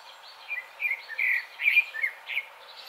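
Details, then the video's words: A Grey-backed thrush, a summer visitor in Korea, sings a run of short, fluty, warbling phrases, about two a second, over a steady background hiss. "되지빠귀 노래소리 예뻐요"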